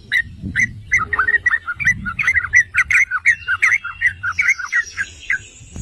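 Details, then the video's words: Yellow-vented bulbul song for provoking other bulbuls into singing: a steady series of short, liquid, chirping notes, roughly one or two per second, then a thin high whine at the end. "Trucukan jenis APAPUN dijamin NGAMUK || Pancingan dan Masteran Trucukan"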